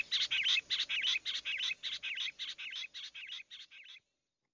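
A Rock Bush Quail's meeting call: about fourteen quick, high, twisting chirps, roughly three a second, growing gradually softer before stopping.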